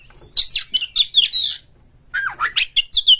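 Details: Oriental magpie-robin singing rough, energetic material to stimulate other birds: loud, harsh, buzzy notes in a rapid burst, a short silence, then a falling slur and a run of sharp whistles.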